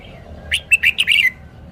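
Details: Single quick phrase from a caged red-whiskered bulbul showing its song style: five crisp, chirpy notes delivered in under a second, the last ones running into a slurred whistle.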